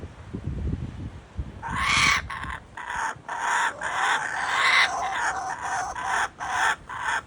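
A kookaburra gives a loud, harsh cackling laugh of rapid repeated hoots for about five seconds, after a brief stretch of low rumbling wind noise.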